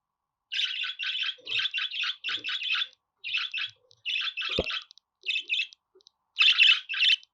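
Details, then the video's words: Budgerigar song for pet birds: almost unbroken chattering of grating, buzzy chirps in rapid clusters, pausing only briefly, with a single soft knock partway through. "Muhabbet Kuşu Ötme Garantili Kuş Sesi,Muhabbet Kuşu Sesi"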